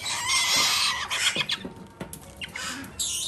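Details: Captive-bred female galah chick from a Japanese breeder, being hand-fed, giving loud, harsh, rasping begging squawks in a near-continuous stream, with short breaks and clicks near the end.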